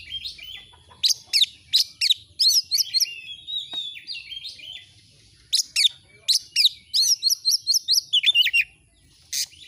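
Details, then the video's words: Oriental magpie-robin song in two bursts of rapid repeated sharp notes and whistled slurs, separated by a quieter pause with a faint thin whistle. "Masteran burung Kacer AUDIO JERNIH BUAT ANGKAT EMOSI AGAR CEPAT ON NGOBRA,Kacer gacor"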